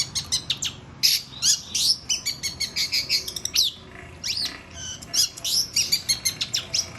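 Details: Long-tailed shrike singing a dense, varied run of sharp high chirps, rising whistles and scratchy notes in rapid bursts, almost without pause.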